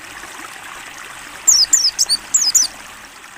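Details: Mountain white-eye in a training recording: a short cluster of high, clear, falling chirps lasting about a second, heard over the steady murmur of streaming water.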